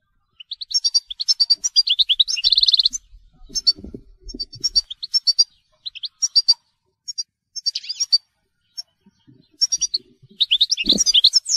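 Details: European goldfinch of telqam type delivering a long, lively song of rapid tinkling twitters, a dense buzzy burst early on and liquid trills, broken by short pauses, with soft low knocks in the background.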